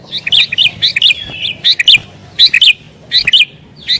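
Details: Excited sooty-headed bulbul pressing a rival with song used to call wild bulbuls, delivering rapid bright bubbling two- and three-note phrases, roughly one burst every second, with faint low background rumble.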